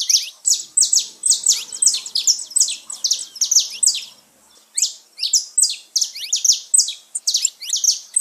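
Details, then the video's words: Saffron finch song for stimulating caged birds: continuous rapid series of loud buzzy high notes, each sliding downward, with a brief pause midway before the stream resumes. "canto de canário da terra pra foguea seu passarinho"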